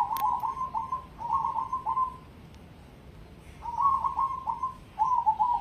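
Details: Competition-grade cemani zebra dove singing a rolling series of soft, trilled coos on one low pitch, grouped in bursts of three to four notes with a pause mid-clip, over quiet background.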